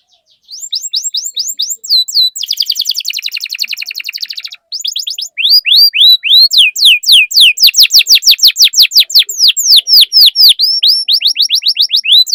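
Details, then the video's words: Lively canary song played to stimulate other canaries to sing: bright downward-sweeping whistled notes, then a dense rapid trill, a brief pause, and long runs of quick repeated sweeping notes, loud and continuous. "Pancingan Burung Kenari Gacor Cuit Cuit Masteran Kenari Paud"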